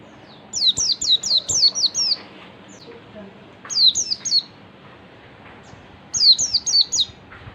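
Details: Oriental white-eye in ngalas song, played to provoke other white-eyes: a burst of about six sharp downward-slurred whistles, then three, then five after quiet gaps.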